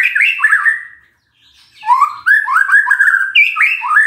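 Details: Lure song of a magpie-robin for coaxing a silent bird to reply: warbled whistles, a short pause, then a varied run of rising and falling notes with some scratchy, higher chips mixed in.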